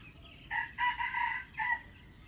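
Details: A red junglefowl crow used as a lure to trap wild chickens: a brief, clipped crow in three bursts, with a short note, a longer ringing middle and a quick end, over faint background hiss.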